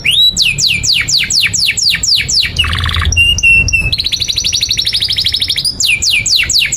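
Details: Canary song used as a master recording for young canaries: repeated falling whistled sweeps, a harsh burst, short pure high tones, a long buzzy trill, then more descending sweeps, all loud and varied.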